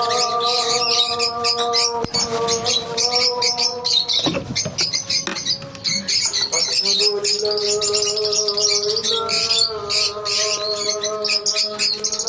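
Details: Squawky, high-pitched chatter from many lovebirds in a colony, rapid chirps running throughout, a brief louder noisy patch midway, and a steady hum in the background.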